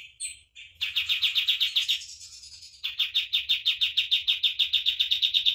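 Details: Master song of a common iora for bird training: dense, rapid chirps repeated in two bursts, the second louder and very regular, all high and clear.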